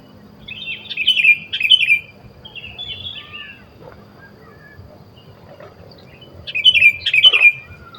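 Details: Wild sooty-headed bulbul recorded while birds are being trapped, giving short rich chattering phrases in two clusters at the start and end, with softer scattered notes between and a low steady background rumble.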